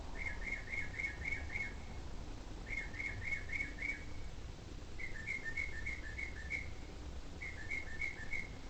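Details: An unidentified bird calling at 11pm gives quick runs of four to six clear, mid-high chirping notes, repeated about every two and a half seconds over a low steady rumble.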